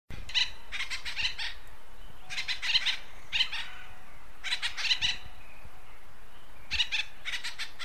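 Acorn woodpecker giving harsh, raspy notes in quick chattering bursts every couple of seconds, over a low steady background rumble.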